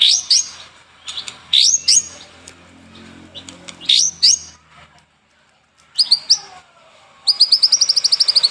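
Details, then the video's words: White-rumped shama, a cage bird singing for training: sharp high rising-falling phrases in clusters, a quiet pause, then a fast even trill of bright ticking notes. "PANCINGAN Murai Batu Gacor pagi dan sore hari"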